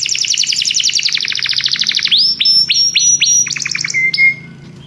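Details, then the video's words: Belgian canary singing: a fast, even trill of repeated high chirps, then a row of sharp upswept whistled notes, a quick burst of short chirps, and a closing lower buzzy trill, with no other sounds. "canário belga cantando"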